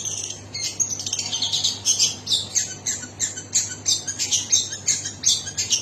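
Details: Long-tailed shrike giving fast, high, buzzy chattering song, notes tumbling in quick strings with squeaky accents, almost unbroken throughout.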